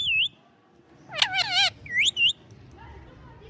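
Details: Pet talking parrot, just woken up, gives a brief high whistle, then a half-second burst of raspy, speech-like chatter, followed by two quick rising whistles over faint background hum.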